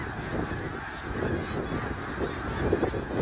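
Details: Large gathering of snow geese at Middle Creek Wildlife Area, 3 March 2022, giving a constant wall of overlapping honking calls, many birds at once, with low-pitched background rumble underneath.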